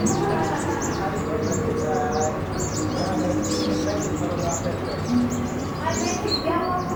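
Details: Many Van Hasselt's sunbirds at a colony, Pulau Perhentian, Terengganu, Malaysia, June 2017, giving rapid thin high chirps that overlap without pause, with a steady low rumble and a few faint lower tones beneath.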